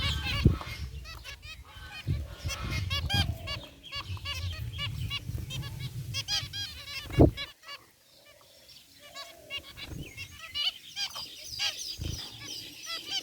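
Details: A group of white and gray zebra finches in an outdoor aviary keeps up a busy chatter of short, nasal, toy-trumpet beeps that overlap constantly, over a low background rumble.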